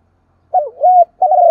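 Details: Brief morning call of a female spotted dove luring males. A short fragment of throaty cooing, a dipping note flowing into a level coo, then the start of another sustained note.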